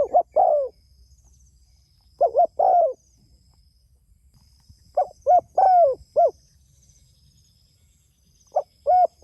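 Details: Spotted dove calling to others with repeated hollow coo phrases, three full ones plus a cut-off fourth, spaced about three seconds apart. Each phrase holds three or four low notes, the longest one slurring downward.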